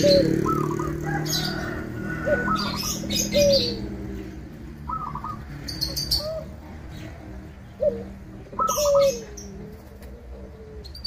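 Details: Local zebra dove cooing to provoke and draw other zebra doves into calling: low, falling coos with short higher notes, repeated in phrases, while small birds chirp high and faint background noise continues.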